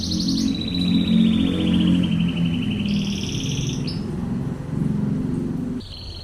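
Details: Canary singing a long, slightly falling trilled roll, then a higher buzzy tour, a pause and a new high trill, over steady low hum.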